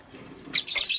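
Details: Green lovebird chirping in the morning while a blue lovebird scrambles for vegetables. After a quiet half second comes a pair of sharp, harsh, high-pitched chirps in quick succession, the second longer and noisier.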